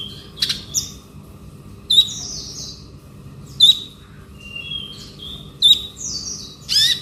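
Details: Male konin delivering ngobra song: high, clipped whistle notes roughly every one to two seconds, each followed by thin buzzy slides dropping in pitch, with a faint steady hum underneath.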